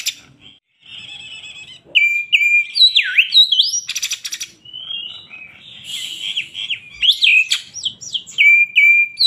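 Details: Oriental magpie-robin (kacer poci), a kept songbird in Indonesia, singing agitated and in full voice: loud whistled notes, sliding swoops and dips, buzzy rasping bursts and quick chirps, rapid and varied with brief pauses.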